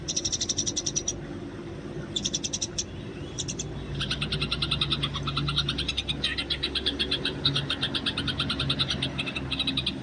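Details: Wild Eurasian tree sparrow fighting chatter, recorded for training: stuttering bursts of rapid, high chirps build into a continuous, dense, scratchy chattering over a low hum and rumbling background.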